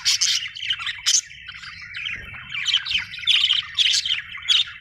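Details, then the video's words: A happy budgie chorus of bright squawky chirps and chattering warbles, loud bursts alternating with softer twitters, with a low background rumble. "happy budgie chirping sound"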